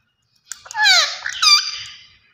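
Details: Rose-ringed parakeet talking: a single squeaky, voice-like phrase of two slurred, rising and falling syllables lasting over a second, indoors with no other sounds.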